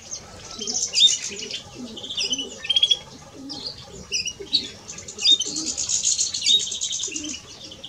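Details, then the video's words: European greenfinch, male and female, singing a rapid high twittering of chirps and short trills, with scattered bright whistled notes, loud bursts near the start and middle, and faint low rumbling underneath. "Male and Female of Greenfinch - Cantec de Florinte"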